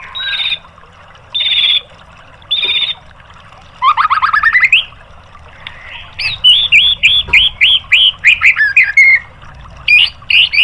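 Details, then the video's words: White-rumped shama in a master recording for caged-bird training: three evenly spaced harsh buzzy blasts, a fast rising trill, then a rapid series of short bright whistled notes. "MASTERAN MURAI BATU biar EMOSI NYAUT jadi GACOR"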